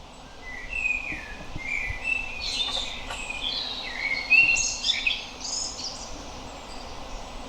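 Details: Common blackbird (Turdus merula) song: a series of rich whistled notes followed by high chattering twitters, repeated phrases over several seconds with faint background noise.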